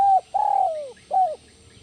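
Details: Spotted dove, called tekukur, in the 'kuk 1 melambung' coo: a short coo, a sustained pulsing coo that slides downward, and a clipped last coo, deep and close with little background.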